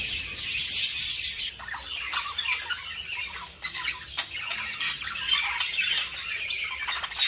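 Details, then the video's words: Budgerigars heard for mating stimulation: high squawks and rapid chirps layered over constant twittering, with a few brief louder bursts and short dips in the chatter. "تحفيز البادجي على التزاوج"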